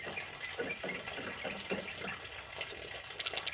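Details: Tame male kemade singing energetically, recorded for training other birds: three high, clear whistled notes sweeping upward, spaced about a second apart, with a brief burst of rapid ticks at the end over steady background hiss.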